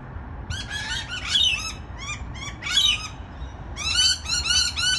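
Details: Rainbow lorikeets calling on a balcony: bursts of shrill, high chattering notes with rapid harmonic stacks, some screechy squeals in between, ending in a dense run of quick chirps.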